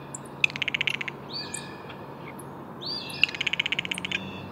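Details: Blue jay calls in two rapid clicking series about three seconds apart, each followed by a short downslurred whistle-like note, with thin high chirps from other birds.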